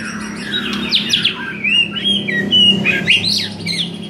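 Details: A white-rumped shama pours out varied song, used to rouse a shama that sings too little; sliding whistles, swoops and twittering notes blend into a continuous, lively phrase over a faint low hum.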